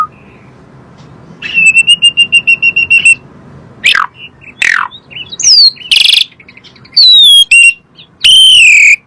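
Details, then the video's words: Asian pied starling song used to coax kept birds into singing: a rapid trill, sharp downward chips, harsh noisy bursts, and thin descending whistles ending in a loud buzzy note. "PANCINGAN SUARA BURUNG JALAK SUREN"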